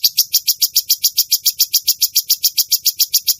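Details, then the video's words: Cucak cungkok bulbul in gacor, active singing: a steady, machine-like run of high sharp chips at about three and a half per second, unbroken for the whole stretch. "burung cucak cungkok gacor"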